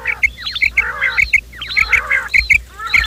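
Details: Morning quail calls used as a trapping lure: sharp clipped high notes repeated rapidly in clusters, mixed with rising-falling wavy trills and softer lower nasal calls underneath, several callers overlapping throughout.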